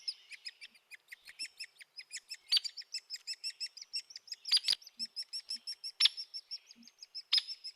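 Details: Hairy woodpecker, Sierra Nevada region, gives a fast, even rattle of high, sharp notes holding pitch without dropping at the end, unlike a downy's, broken by several loud, abrupt peek notes.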